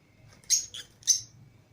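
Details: Caged lovebirds out with other lovebirds indoors, a green Fischer's pair and a lutino pair: three short, shrill, squawky chirps, the middle one softer, in quick succession.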